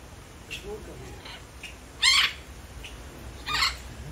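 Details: Red-fronted macaw giving two loud, harsh, raspy squawks about one and a half seconds apart, each lasting under half a second, with fainter short calls and soft murmuring in the background.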